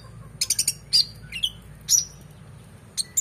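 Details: Oriental magpie-robin in full, excited song, played as training material for contest birds: a short run of clicks, then a few loud whistled slurs and a falling note, separated by brief pauses, over a soft low hum.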